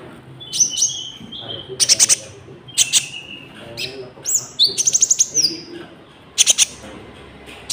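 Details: Common Iora song with cricket-like fill-ins for trapping and training caged birds; short bursts of rapid buzzy clicks alternate with clear high whistles and slurred downward notes.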